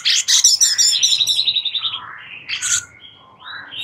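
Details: Sooty-headed bulbul master song for tutoring White-rumped shamas: a quick series of high, ticking chirps repeated several times a second, then a pause and a few squeaky, rising whistles.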